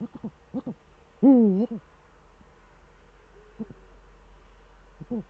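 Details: Eurasian eagle-owl duet, male at the nest in the Eifel on a December evening, 13 December 2013, 17:25. A few short low notes lead into one loud, wavering deep hoot, followed by sparse soft notes.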